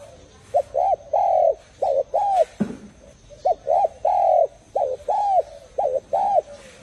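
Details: Cooing of a spotted dove: series of arched, hollow notes in quick pairs followed by a longer sustained coo, repeated about three times with short silences, a sharp click midway.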